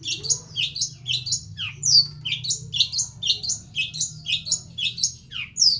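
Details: Indonesian long-tailed shrike delivering 'materi jadul', an old-style song material: quick runs of piercing high chips and slurred squeaky whistles, some notes sweeping downward, repeated in a steady chattering flow over a soft low hum.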